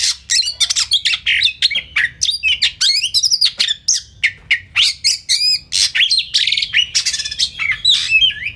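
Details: Kacer (Oriental magpie-robin) masteran song full of tembakan: a relentless stream of rapid, scratchy, rising and falling notes, roughly three to four per second, loud and high throughout.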